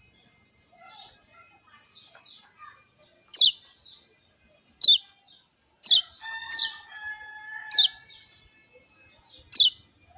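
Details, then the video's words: Clear natural singing of a lemon-bellied white-eye: crisp, high, falling whistled notes repeated about once a second, with a faint steady tone lower down midway and a constant high hiss. "SUARA JERNIH ALAMI BIKIN KECIAL KUNING CEPAT RESPON"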